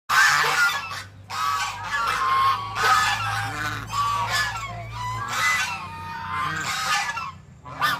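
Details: Ducks calling in a group: harsh, nasal, overlapping quacks and honks in dense bursts, with brief pauses around one and five seconds, and a low steady hum underneath.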